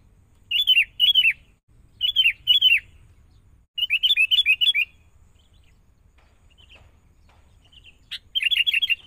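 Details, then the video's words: Young wild-caught sooty-headed bulbul in training. It repeats short, bright, descending doubled phrases in clusters every second or so, with longer strings of four to five notes and brief pauses between them. "Proses.. Melatih Kutilang Mudah Hutan.."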